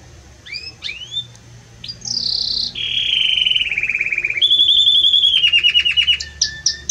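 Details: Strong, warm song of a Belgian canary: scattered rising whistles, then a long series of rolling trills that step down and up in pitch and grow louder, ending with quick sharp notes.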